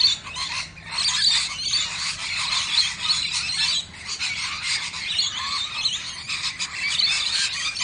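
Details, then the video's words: Rainbow lorikeets, two of them, sharing a drink: continuous raspy, buzzy screeching and chattering throughout, swelling and fading in waves with scattered sharper squeals and no clear gaps. "These 2 Rainbow Lorikeets Sharing a Drink"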